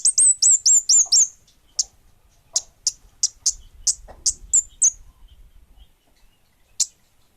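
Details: Orange-headed thrush, bunga api type, in active song: it opens with a rapid run of six piercing high hooked whistles, then gives single sharp high notes spaced about half a second apart, and one last isolated note after a pause.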